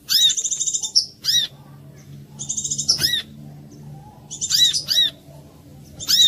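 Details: Brown-throated sunbird (kolibri kelapa) singing a lure phrase to set other birds singing: high shimmering buzzy trills broken by sharp arched chip notes, bursts repeating roughly every one to two seconds.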